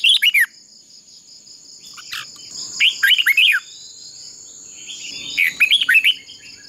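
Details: Red-whiskered bulbul decoy bird singing in a fighting contest, used for voice training: three short bursts of lively slurred whistled notes separated by pauses, over a steady high-pitched insect-like drone.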